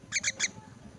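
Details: Orphaned crippled myna at feeding time, three quick, loud rasping squawks packed within half a second, then quiet low hum.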